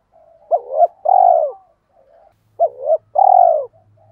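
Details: Decoy spotted dove of the Hai Hậu type, used to lure wild doves. It gives two low cooing phrases, each a short hooked note and then a longer, rolling, falling coo. The background is quiet.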